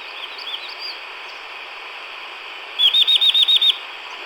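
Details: A Chestnut-vented Nuthatch (Sitta nagaensis) in the montane forest of Natmataung (Khaw Nu Soum) National Park, southern Chin State, Myanmar, gives about eight quick high sharp notes after faint high chirps.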